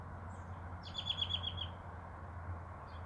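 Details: American robin calling during lockdown: a quick run of about six short, bright, high notes strung close together, with a steady low hum throughout.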